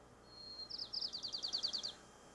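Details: White-crowned Sparrow song in the San Francisco dialect typical of the California Academy of Sciences, played back: a high thin whistled note, then a long canary-like trill of about a dozen quick slurred notes ending the phrase.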